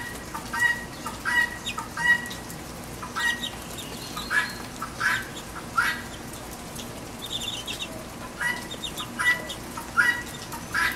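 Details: Rainy backyard feeder with a guinea hen giving loud, rasping squawks in uneven runs, roughly one every second, some bursts paired with short ringing tones, over constant rain noise.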